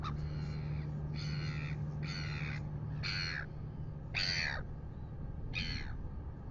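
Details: Red-billed gulls annoying a Royal Albatross at a nest in New Zealand at 6:27 AM give harsh, raspy squawks, each about half a second long and roughly one a second, over a steady low wind rumble.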